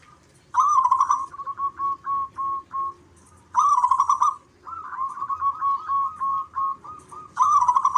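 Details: Answering song of local zebra doves: three vibrant burbling coos, each trailed by a string of short steady notes at one pitch, one caller following another with a faint hum underneath.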